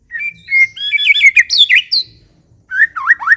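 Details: White-rumped shama in full, vigorous song: varied loud whistled phrases sliding and looping between mid and high pitch, a busy run of notes, a short pause, then more rapid swooping whistles.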